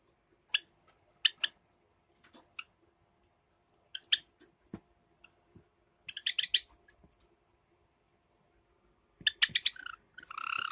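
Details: Pet Java sparrows, a light silver ino and a sakura bird, in summer: scattered clicks and sharp chips, then brief clusters of buzzy notes and a loud, rasping burst at the end.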